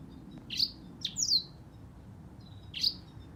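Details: Short high chirps from a singing black-throated canary, two close together and then a pause before a third sharp, descending note; faint low background rumble.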